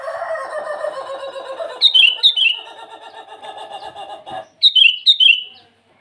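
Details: Sooty-headed bulbul calling rivals in the morning; bright bubbly two-note phrases repeated four times over a continuous lower buzzing, chattering background that fades midway.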